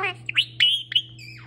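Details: A male pet parrot chatters in a quick run of high whistled chirps and squeaky syllables, rising and sliding, with a constant low hum in the background.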